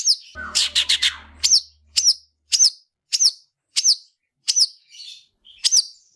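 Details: Long-tailed shrike in fighting song, used as a training model for other shrikes: a rapid scratchy burst, then a steady series of high, sharp down-slurred whistles repeated roughly every 0.6 seconds; faint low hum at the start.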